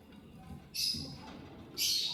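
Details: Lovebird eating corn, giving two shrill, harsh high chirps about one second apart, each held briefly, over a low murmur of background noise.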